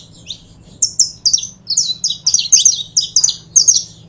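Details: Saffron finch song: a short downslurred note, a pause, then bursts of rapid paired high chirps that speed up into clustered phrases, with a quiet low hum in the background.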